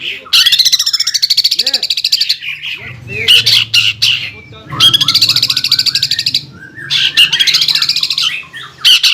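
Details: Aggressive 'nembak ngeroll' song of a greater green leafbird: long high rattling bursts of very rapid notes alternate with short silences and scattered chirps, with a faint low hum underneath.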